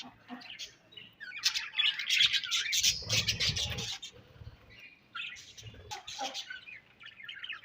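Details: Budgies give bursts of harsh, squawky chirps and chattering warbles, loudest in the first half, then sparser high twitters.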